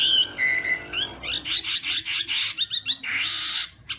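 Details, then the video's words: Chinese hwamei in morning voice training for singing contests: clear whistled notes at first, then a string of quick, loud, buzzy syllables repeated in a rapid rhythm. "Hoạ Mi Hót Đấu /hoạ mi hót sáng luyện giọng"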